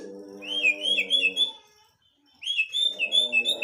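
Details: White-rumped shama singing two bursts of bright, rising-and-falling whistled notes strung into quick phrases, separated by a short pause, over low humming tones.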